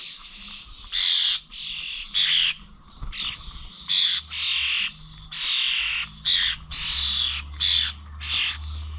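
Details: Starlings at bird feeders in Corby old village, recorded 21 November: loud squawky, buzzy bursts about every second, a few clipped whistles among them, low hum later.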